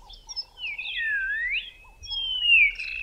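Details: Black-crowned Tchagra in thick bush in southern Africa, giving its whistled call: long, clear, slurred whistles dipping and rising, then a high sliding whistle, with a soft low hum beneath.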